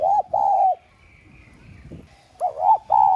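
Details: Decoy spotted dove with the prized 'son' voice style, cooing to call and stimulate newly caught doves into cooing. Two smooth mid-pitched coos, a short pause, then a wavering rising-falling coo and another steady coo, with faint background rustle.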